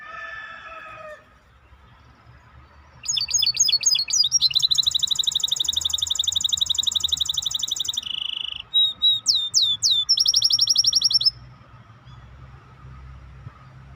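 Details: Song of a maestro bird: a brief higher phrase at the start, then from about three seconds a long, loud, rapid trill of high notes. A short buzz and a few sweeping whistles follow, then another fast trill.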